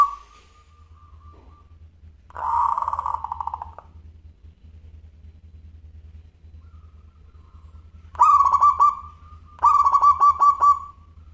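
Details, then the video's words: Zebra dove of the local perkutut type, singing actively in a clear crystal voice: several mellow cooing phrases of fast stuttering notes with pauses between, over a steady low background hum. "Perkutut Lokal Gacor Suara Kristal"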